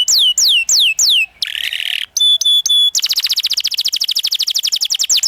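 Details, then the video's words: Loud canary song meant to teach young canaries: a few slow falling whistled sweeps, a harsh buzzy passage, three pure sustained whistles, then a long fast trill of rapidly repeated notes. "PANCINGAN Kenari GACOR NGEROL Masteran Ampuh UNTUK KENARI PAUD BELAJAR BUNYI NGRIWIK"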